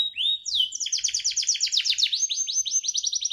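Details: Pet canary singing: a whistled note gliding down, then a quick run of sharp downslurred chirps repeated several times a second, sliding into a higher bright trill.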